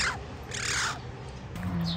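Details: Hand-raised baby Oriental magpie, a fledgling found fallen by a roadside and cared for indoors, heard early in the morning: two harsh, rasping bursts, a brief one then a longer one, followed by a steady low hum.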